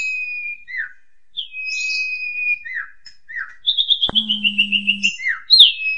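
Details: Asian pied starling singing in the 'super ngentrok' style, used as a therapy song for household magpie robins: long, clear, high steady whistles with short falling slurred notes, then a fast run of about a dozen rapid chipping notes and a sharp click with a brief low hum.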